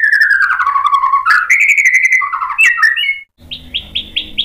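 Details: White-rumped shama song for provoking a reply. Clear, loud descending and rising whistles and slurs run for about three seconds. After an abrupt break, a different series of short, evenly repeated high notes begins.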